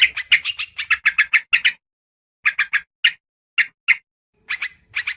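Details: Sooty-headed bulbul calls used as a lure: a quick burst of clipped chirps, then a silent gap, then scattered single and paired bright notes.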